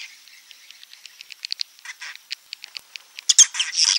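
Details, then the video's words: Swiftlet roosting ('inap') sound: quick high chirps and clicks ticking along irregularly, rising at the end into louder, harsher twittering bursts. "Suara Inap walet"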